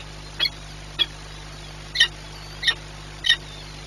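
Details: Peregrine falcon, Orlen Płock, feeding time 9:57 on 21 April 2021: five short, rasping high calls at uneven intervals of about half a second, with a low continuous hum underneath.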